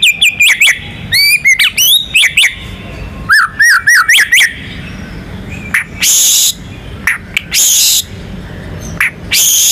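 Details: Contest-champion white-rumped shama in full song to get other birds singing: bursts of rapid looping whistles and quick upslurred notes, broken by harsh, buzzy broadband blasts and short pauses.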